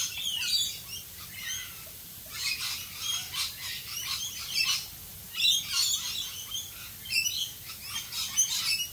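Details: Rain-soaked rainbow lorikeets in Australia chattering: scattered groups of sharp shrill screeches and squeaks in bursts separated by short pauses, rain noise steady underneath.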